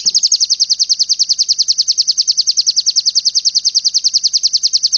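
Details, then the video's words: Oriental white-eye singing a long, rapid trill of high, thin notes, about eight per second, held steady and even throughout, with no other sounds standing out. "PLECI tembakan super mantap"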